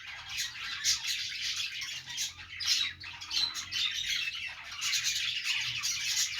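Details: Several pet budgerigars chattering contentedly as part of a morning routine: dense high scratchy warbles with sharp chirps rising and falling in waves, louder bursts near the first, third and fifth seconds.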